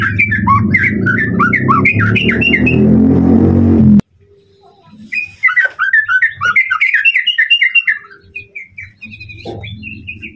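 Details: Tutor song of a white-rumped shama meant to stir up a rival bird: varied whistles at first masked by loud low rumbling noise, then clear rapid sweeping phrases after the noise stops, trailing into scattered whistled notes.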